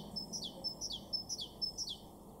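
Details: Great tit in a garden in Weener, East Frisia, northwest Germany, in April 2023, singing a bright, two-note 'teacher' phrase, high then dropping, repeated about twice a second; faint background hiss.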